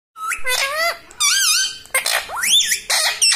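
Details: Pet talking parrot imitating human speech: a run of loud, nasal, harmonic syllables with sweeping rising and falling pitch, separated by short pauses, in a quiet indoor setting.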